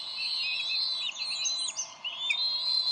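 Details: Decorah bald eagle pair arguing over a fish at their nest, 30 May 2012, before the female feeds the eaglet; a dense run of high, thin, wavering whistles and squeals chatters without pause.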